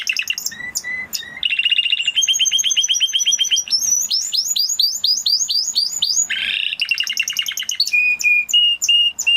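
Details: Spanish Timbrado canary, an original breed close to the wild canary, singing a loud varied song: short phrases of rapid repeated notes, rising sweeps and steady high whistles switching every second or two.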